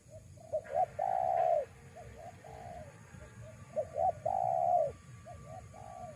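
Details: Spotted dove call played to lure wild doves: soft short notes, then a sustained warm coo, repeated with lighter trailing hoots between phrases; steady low hum beneath.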